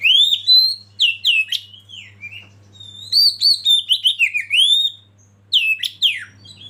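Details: Oriental magpie-robin song of clear rising whistles and quick chirped phrases, delivered in three bursts separated by short silences, with a low constant hum in the background.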